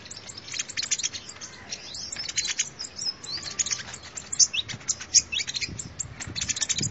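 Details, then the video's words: Sunbird song played as a lure: a dense, continuous jumble of very high, rapid ticking notes and brief upward whistles, steady throughout. "tiếng chim hút mật"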